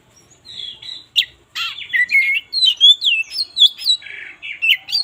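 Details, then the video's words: Morning song of an oriental magpie-robin, used as a lure to start sluggish birds singing: a rapid, continuous run of varied sweet whistles, rising and falling slurs and short scratchy notes. "suara burung kacer gak ada ahlak"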